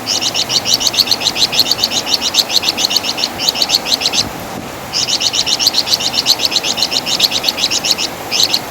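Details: Flamboyan bird, also called Wergan Jawa in West Java, giving loud master song with its distinctive chatter: rapid high chirps repeated about four per second in two long bursts, separated by a brief pause.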